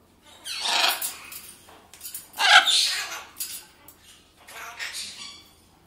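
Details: Harsh, raspy squawks from a pet Blue-and-yellow macaw, one of a pair, coming in three noisy bursts over about five seconds, mixed with a person chatting to the birds in Czech indoors.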